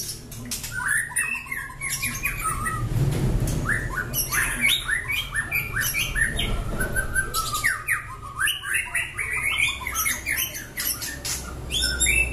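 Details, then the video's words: Long-tailed, black-legged White-rumped shama (murai batu bahorok), described as a fighter and prolific singer, in loud nonstop song: rapid harsh, squawky and chattering phrases with some sweeter notes between, over a steady low hum. "MURAI BAHOROK KAKI HITAM EKOR PANJANG, FIGHTER & GACOR"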